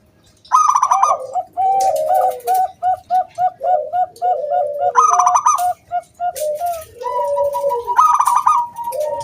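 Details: Local wild zebra dove singing, a recording meant to lure other doves into singing: a rapid, overlapping run of low mellow coos broken by higher ringing trilled notes, delivered almost without pause.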